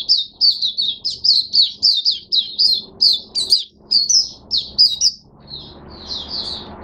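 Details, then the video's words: Oriental white-eye kept in captivity, recorded 5 May 2022, delivering a brisk stream of sweet, high chirps in rapid succession, each note slurred and bright, easing into quieter background rustle near the close. "Mata Puteh Hercules V1 buka sing"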